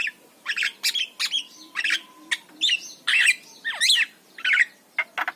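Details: ['Javan myna master song for coaxing lazy birds to sing: bursts of scratchy, chattering notes mixed with twisting whistled slurs and squawks, delivered in uneven clusters.']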